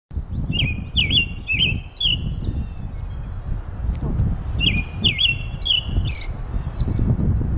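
American robin giving two bursts of four or five quick, clear slurred notes, each burst followed by thin high squeaks, over a steady low rumble of wind or traffic.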